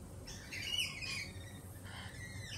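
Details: Jittery lorikeets, days after a Peregrine Falcon attack, make a burst of shrill, rasping screeches that overlap, then fade to softer squawks.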